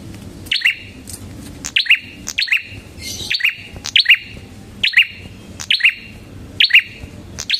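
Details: Prinia singing energetically, used as a lure and master recording for training songbirds: sharp high two-part chirps, a piercing note then a lower buzzy one, repeated about once a second with brief gaps.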